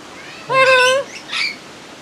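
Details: A little corella at the Campbelltown wild bird forest, filmed in May 2021, calls out a human-like "hello": a steady, voiced, nasal first syllable, then a brief, rougher second one, against a quiet background.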